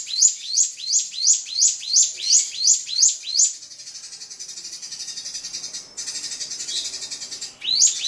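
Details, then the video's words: Drongo singing to stir up a rival bird, with quick high chirped phrases repeating about three per second for several seconds, then giving way to a soft, continuous high hiss and a brief return of the phrase at the end. "SRIGUNTING PANCING EMOSI LAWAN"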